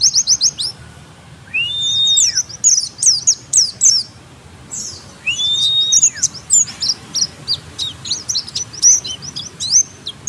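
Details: Oriental white-eye song played as a lure to draw replies: fast, very high trills and chirps in bursts, broken by two long, level, thin whistles, ending in a scattered run of sharp notes.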